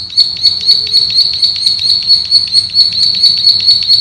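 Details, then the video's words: Plain prinia (male, a rice-field and grassland bird) giving a continuous high, buzzy, drilling trill that pulses rapidly about twice a second without a break, over a faint low background rumble. "MASTERAN BURUNG PRENJAK SAWAH GACOR, NGEBREN TEMBAKAN RAPAT SUPER ISTIMEWAH"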